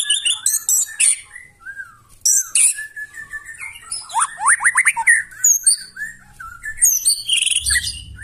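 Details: Loud, harsh song of a white-rumped shama, used to goad other birds into singing. High piercing notes are mixed with fast down-swept whistles and buzzy chatter in a dense, unbroken medley, with a low rumble near the end.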